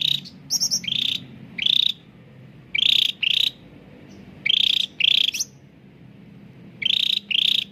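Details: Cucak ranting bulbul, a caged bird used as a singing lure for birds that rarely sing, gives paired buzzy chirps about every second, with quiet gaps and a few high thin notes.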